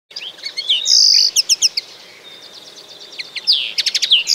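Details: Common linnet song: rapid twittering run of varied notes, buzzy trills and short repeated chirps, loud bursts at the start and end with a quieter warbling stretch between.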